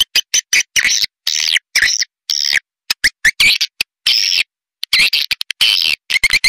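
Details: Edible-nest swiftlet lure call of the pancawarna style, made to draw swiftlets: rapid bursts of buzzy, chattering clicks and trills, broken by short silences and longer rasping phrases.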